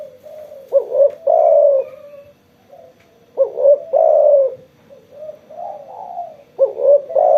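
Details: Spotted dove cooing eagerly after being sunbathed, giving low, mellow cooing phrases, each a quick hiccup note followed by a longer drawn-out coo, the phrase repeated about every three seconds in a quiet setting.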